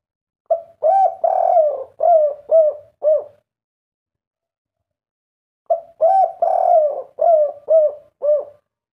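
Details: Zebra dove, the three-note (kuk 3) type, cooing in two bursts of about six notes each, each lasting about three seconds, with a pause of about two seconds between them. The notes are low and rolling, with a trilled, purring middle part.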